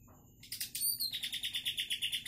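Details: Wild-caught greater green leafbird, described as used to lure other birds, giving a loud high song: a burst of sharp chirps, then a steady run of rapid pulsed notes repeated about every fifth of a second.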